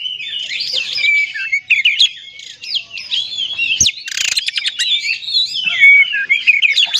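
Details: Oriental magpie-robin song used to provoke other magpie-robins into singing: a rich, varied stream of whistled slurs and rapid chattering notes, with rising and falling sweeps and a brief harsh rattling burst near the middle.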